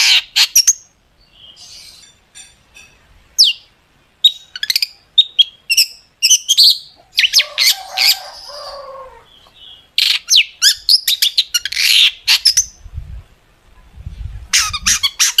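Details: Long-tailed shrike, a 'gacor' lure recording with sharp fills to make shrikes sing; bursts of harsh chatter and clipped notes in irregular bouts with quiet stretches, some low thumping toward the end.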